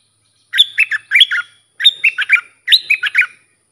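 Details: Sooty-headed Bulbul training song for young and wild birds, in the sap dok, boem and rik styles: three phrases of fluty, bouncing whistles, each with four to six quick notes, separated by short pauses.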